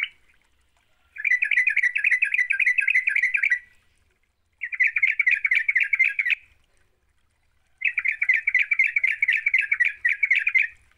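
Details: Lively yellow-vented bulbul, played as a lure to spur a quiet bird into song, delivering three long bursts of rapid buzzy chattering notes, each lasting two to three seconds, separated by short silences.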